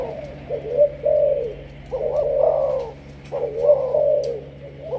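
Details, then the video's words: Spotted dove of Malaysian stock, 'sấm thổ' type decoy bird, delivering soft throaty coos in two broad phrases, the second rising slightly then trailing down, low steady hum behind. "Lên em sấm thổ cho ae về tập mồi"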